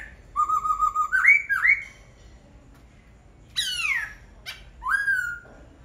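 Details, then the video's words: Laughingthrush sings a steady whistled note that steps up into looping slurs, followed by two steep descending sweeps and a final rising whistle. "Khướu hót cực hay"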